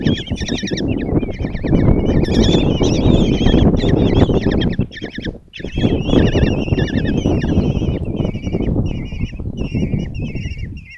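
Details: At a nest box in Tiszalök, Hungary, five common kestrel chicks beg while their mother feeds them, June 26, 2024; insistent trembling squeals in clustered bursts, briefly pausing near the middle, over steady rough rustle.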